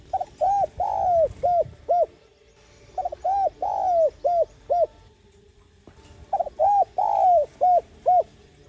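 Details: Spotted dove calling to rouse decoy birds and attract wild doves: three regular phrases of hollow coos, each with quick opening notes, one long down-slurred coo and two short ending coos.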